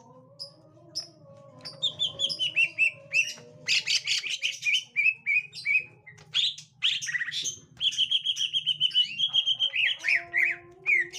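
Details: Green leafbird in captivity reacting to a young forest-caught bird: faint notes over a steady low hum, then loud harsh bursts and runs of rapid repeated chirps with sweeping whistles.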